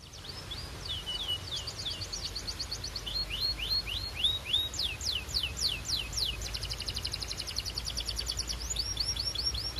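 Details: Canary singing fast rolls of sweeping whistled notes, each phrase repeated several times per second, over a steady background hiss and low rumble.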